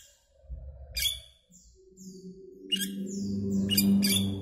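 Asian glossy starling giving sharp, metallic squeaks and short downslurred whistles in scattered bursts, over a steady low musical drone.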